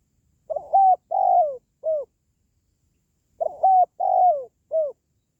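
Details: Spotted dove calling, a call used to lift pet doves' spirits or attract wild doves for trapping: two clean four-note phrases about three seconds apart, stuttered start, steady hoot, drawn-out descending coo, brief closing note, over near silence.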